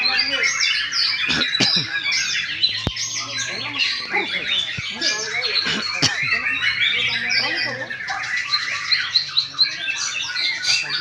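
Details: Murai batu, or white-rumped shama, singing in gantang style: continuous busy warbling with quick twittering phrases and whistles, and scattered sharp clicks throughout.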